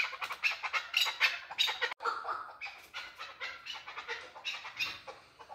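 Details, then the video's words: Male chukar partridge giving rough, hoarse chuck notes in an uneven series, loud at first, then a brief break and continued rasping notes. "Красивый Голос КУРОПАТКИ || Chukar Partridge Male CALL || KEKLIK SESI"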